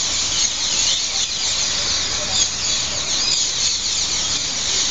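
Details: Evening roost of hundreds of green parrot-like birds on trees at the station square in Heidelberg, Germany, jostling loudly for sleeping spots; continuous high, harsh screeching from the whole flock with no pauses.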